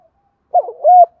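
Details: Decoy spotted dove cooing fast: a rough stuttered note running into one sustained level coo, then silence.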